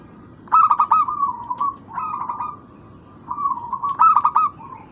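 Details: Local zebra dove call played to lure other birds into answering: short bursts of soft, buzzy trilled cooing, each followed by a drawn-out level coo, repeated about three times in quiet surroundings.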